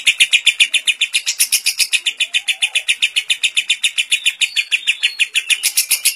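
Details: Lovebird with a kapas tembak song fill, kept as a tutor recording for training lovebirds, giving a long ngekek: rapid, even, buzzy chirps at about four per second that run unbroken for the whole stretch.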